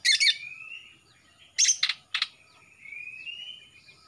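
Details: Greater green leafbird, a young Kalimantan male with a darkening throat and fading juvenile speckles, sings actively. Harsh chattering bursts alternate with drawn-out, thin, slightly rising whistles, with a quiet pause near one second.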